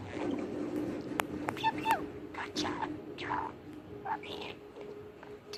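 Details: A male pet budgerigar that talks constantly chatters in quick, warbling bursts mixed with short whistles and clicks.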